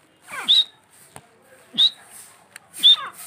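A grey francolin gives three loud calls, about one every 1.3 seconds. Each is a rough, falling sweep that ends in a short, shrill whistled note.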